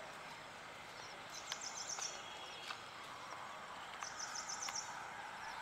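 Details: Yellow-eyed babbler calling near a farm house: two short bursts of rapid, high, thin chattering notes, about six to seven each, roughly three seconds apart, over a steady rural background hiss.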